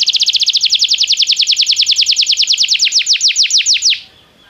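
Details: Belgian canary song meant to stimulate a canary to sing: a steady run of fast, repeated downward-sweeping whistles that slow slightly before stopping abruptly.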